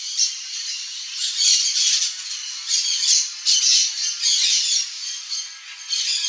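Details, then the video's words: Turquoise-fronted amazon (Amazona aestiva), a wild bird in natural habitat in Brazil, calling: harsh, raspy squawks in quick bursts about once a second, loud and grating with little low tone. "PAPAGAIO-VERDADEIRO Chamando (AMAZONA AESTIVA), TURQUOISE-FRONTED PARROT"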